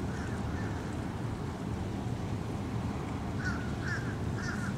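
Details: A Belted Kingfisher (Megaceryle alcyon) perched on a dock post at 7:36 on the morning of 20 October 2015 gives two bursts of harsh, dry rattling calls over a steady low rumble of wind or water.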